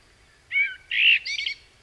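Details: Common Blackbird, one of four recorded at different stages of song learning, sings a brief phrase of three quick, bright warbled notes, the last higher and twittery; background otherwise quiet.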